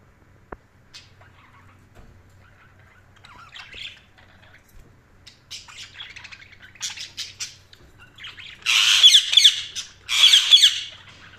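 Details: Budgerigar chirping: scattered soft high chirps and short chatter build gradually, ending in two loud, harsh bursts of rapid squawky chirps near the end, with a faint click and low hum in an otherwise quiet room.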